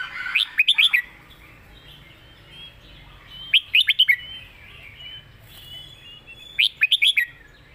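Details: Red-whiskered bulbul delivering master-song (mae bot) style phrases: three bursts of four or five quick, loud, bright whistled notes, one about every three seconds, over soft background twittering.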